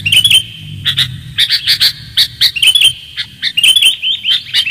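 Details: Clear-voiced sooty-headed bulbul calling as a lure: bright chirps and warbled rising notes in uneven bursts, with a noticeable low hum at the start.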